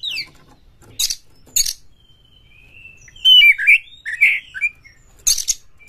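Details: Kacer, or white-rumped shama, singing quickly to stir up other shamas: a descending whistle, scattered harsh rasps, then a long thin note leading into rich warbled phrases and a final scratchy burst.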